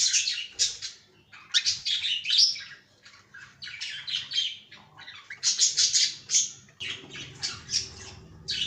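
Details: Cockatiel kept in a cage chattering in rapid, sharp chirps grouped into lively bursts, pausing briefly between runs, with a faint low hum underneath.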